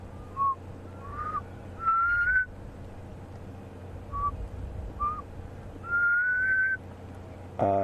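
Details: A Black Cuckoo calls on an afternoon game drive in the Sabi Sands, South Africa, on 22 October 2015, near buffalo bulls. It whistles two short mournful notes, then a long rising one, twice over, over a low engine rumble.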